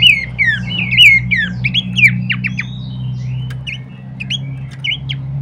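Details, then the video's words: Horsfield's babbler, used as a training master: loud swooping whistled slurs in the first seconds, then sparser, fainter short notes, over a strong low droning hum. "pancingan dan masteran terbaik mewah khas burung pelanduk semak"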